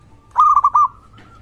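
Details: Local Indonesian zebra dove (perkutut) in full voice, used to prompt other zebra doves to call and to raise their arousal: a quick series of four soft, rolling coos around one pitch, lasting about half a second, over faint low hum.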